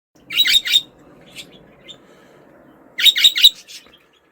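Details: Budgerigar calling in short bursts of bright, scratchy chirps, two clusters about three seconds apart, each of three quick notes, in a quiet indoor space.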